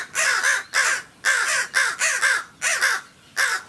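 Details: Back-yard crows, a group of three guarding an injured bird, caw loudly when a person comes near the back door: rough, grating caws often in quick doubled pairs, repeated with brief gaps.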